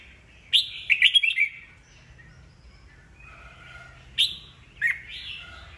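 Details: A kept red-whiskered bulbul, caught old from the wild, sings its 'bọng' song meant to goad fresh wild-caught birds into song duels. A quick tumbling warbled phrase is followed later by two loud calls, the second trailing into a whistle.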